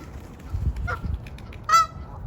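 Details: Canada geese at a duck pond in Arizona, among many ducks; one loud nasal honk near the end, following softer, fainter calls, over a steady low rumble of background noise.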